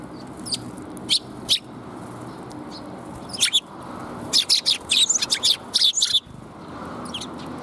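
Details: Sparrows coming to be fed, recorded 13 February 2021 on the way out: bursts of sharp, high chirps, scattered singly at first, then a rapid cluster of about a dozen calls, with a low background hum.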